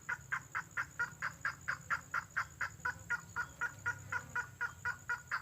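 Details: Red-headed lovebird lure call, said to come from nature and draw birds to respond and approach: short harsh chirps repeated about twice per second in a steady, even series over faint background hiss.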